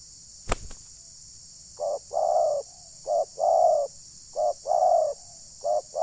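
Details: Spotted dove decoy calling during dove trapping at Ujung Batu, Rokan Hulu. A sharp knock, then paired mellow coos, a brief note followed by a fuller drawn-out hoot, repeated four times over steady hiss.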